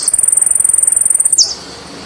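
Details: Saffron finch from Argentina delivering a fast, very high trill of about thirty identical notes in just over a second, closing with a short downward-slurred note; background otherwise quiet.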